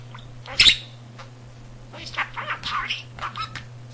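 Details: House budgie that learned nearly 300 words and sentences by listening, and imitated the cat's purring; a loud sharp squawk-click early, then a run of warbling, buzzy, speech-like syllables, low constant hum throughout.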